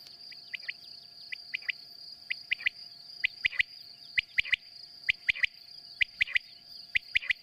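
Common quail gives short, liquid three-note phrases, repeated about once a second, over a steady high insect drone with a few sharp clicks.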